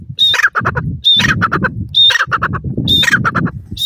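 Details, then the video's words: Grey francolin, male and female calling together in a duet: loud, harsh phrases repeated about once a second, each opening with a high whistled note followed by a rapid run of pulsed, clucking notes. "madari teetar ki awaz,grey partridge bird sound"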